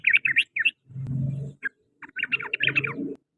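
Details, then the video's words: Sooty-headed bulbul in the afternoon, sharp chirped notes broken up by bursts of low, rough background noise, ending in a fast jumbled run. "TRUCUKAN, KICAU DI SORE HARI"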